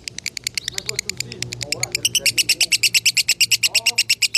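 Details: Lovebird at a farm in Salatiga, its 'konslet' song used as masteran training audio, a long run of sharp high chips repeated about three per second, speeding and steadying toward the end, with faint human voices low beneath.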